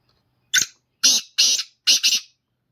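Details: Black francolin song phrase of five grating notes: a sharp opener, two buzzy notes, then a final doubled rasp, loud and clear in silence.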